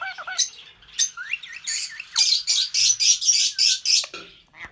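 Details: Albino red-eyed lovebirds, a pair, singing: twittering high notes and a few whistled slurs, then a fast regular series of about eight loud, shrill buzzy bursts in under two seconds.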